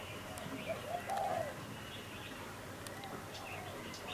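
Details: A captive decoy Spotted Dove, used for tree trapping and not trapped for over a year, gives a few soft, low coos, with a longer hollow note just after one second, while a wild dove calls outside; steady outdoor background noise.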